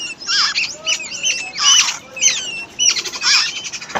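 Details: Wild babbler chicks being fed by a parent: loud squeaky chirps with looping notes and harsh rasps, in quick irregular bursts.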